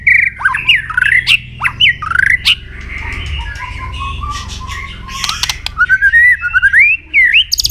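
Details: Fighting song of a white-rumped shama, used to rouse aggression in rivals: rapid swooping whistles and harsh notes, a softer stretch of steady trills, then loud bursts of clicks and rising whistled phrases.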